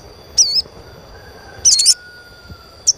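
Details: Asian pied starling chirps used to coax young birds into lively song: a bent high chirp, then a denser buzzy burst, then one short sharp note, with a steady faint high tone behind.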